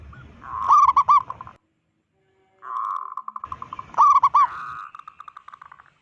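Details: Zebra dove, a loud-voiced local bird, giving a provoking call aimed at other zebra doves: two bouts of gurgling trilled coos, each ending in a stream of quick, evenly spaced soft notes, with silence between.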